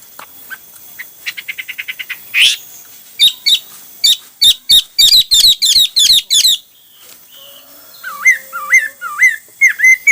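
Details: Hwamei singing varied phrases: a fast run of short repeated chirps, then loud sharp notes in rapid bursts, a short pause, and finally looping whistled notes that slur down and up, repeated about twice a second.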